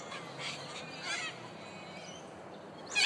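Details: Corellas at Murdoch University, Perth, Western Australia give harsh, raspy screeches, a few overlapping squawks from a distant flock, with a louder screech at the very end.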